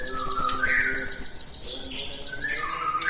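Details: Lure recording of a cinereous tit singing to set other birds singing: a long, steady series of sharp, high-pitched notes in quick succession, with quieter, lower sliding whistles mixed in underneath.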